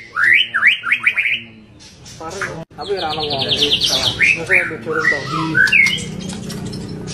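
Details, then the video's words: Full 'tembakan' song of a white-rumped shama: rapid bursts of rising whistles, a pause, then a high ringing trill followed by varied slurred whistles and chatter. "MURAI BATU Full Tembakan Variasi Kasar Mewah"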